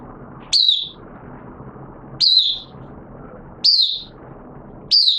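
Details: Caged oriental white-eye kept as a hobby bird, beginning to sing in wet weather on 6 September 2022: short bright slurred notes, each falling slightly, repeated about every one and a half seconds over a steady low background noise.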